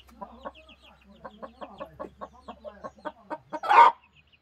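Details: Broody hen making a run of soft, short clucks that speed up and grow louder, ending in one loud harsh squawk, then quiet.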